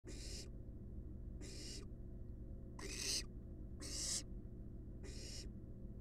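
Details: Wild barn owl nestlings resting in a monitored nest box: harsh, broadband hissing screeches about half a second long, repeated roughly once a second, over a steady low hum.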